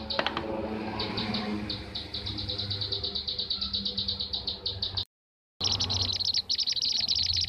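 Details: Blue-tailed bee-eater lure calls: rapid, rolling chirps repeated steadily. A brief silent break follows, then a louder, denser burst of trilled chirping over a low background rumble.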